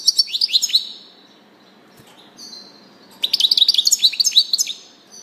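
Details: European goldfinch singing: two bursts of high, rapid, tinkling twitters and trills with short, bright notes, separated by a pause with faint thin notes and a soft hiss of background noise.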